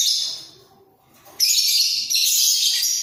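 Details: Budgerigar pair in a breeding cage, head-bobbing while vocalising: a fading scratchy phrase, a near-silent pause, then loud continuous buzzing chatter for the final second and a half.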